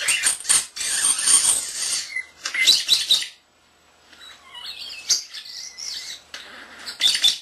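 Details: Young male pet common starling, under a year old, recorded April 7, 2010, mimicking speech and household sounds: dense raspy, hissing bursts, then a quiet pause before thin warbled whistles and clicks.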